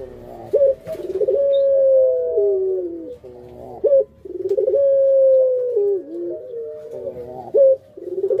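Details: Caged hobby Barbary dove cooing in pelung style: repeated long, smooth, slightly descending hoots, each introduced by a rapid stammering roll and separated by short sharp upswept notes, three phrases in a row.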